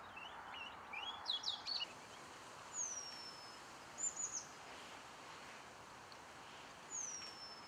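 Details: Eurasian penduline tit busy completing its nest in Källtorp wetlands outside Falkenberg, 2013: high, thin descending whistles, with a few short twittering notes from other birds at the start.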